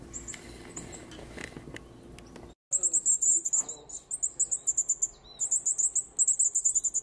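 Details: Baby birds being hand-fed at a wild bird care centre at the end of summer: after a noisy opening, a dense stream of very high, rapid chittering begging calls in bursts.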